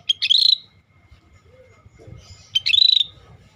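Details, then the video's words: Scaly-breasted bulbul, said to be rare and singing actively: two loud, high phrases, each a clipped note running into a rapidly pulsed, slightly rising buzzy whistle, with a faint low murmur between them. "Suara Burung Cucak Bersisik Gacor"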